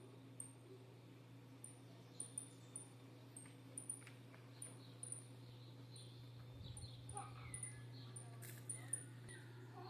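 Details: Saffron finch chicks begging for food: thin, very high squeaks repeated roughly every half second, fairly faint over a steady low hum.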